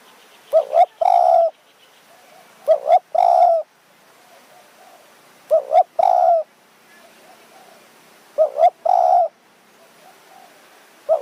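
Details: Evening luring of a spotted dove with a decoy bird, high mountain forest, Kanchanaburi, Thailand. Repeated phrases of a quick two-note coo then a longer low coo, about every two and a half seconds, five in all.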